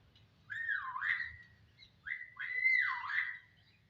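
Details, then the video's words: Starling (jalak) giving two loud whistled phrases, each swooping down then rising again in a smooth slurred curve, with a brief soft note between them and a quiet low hum behind. "Siulan menawan Burung JALAK"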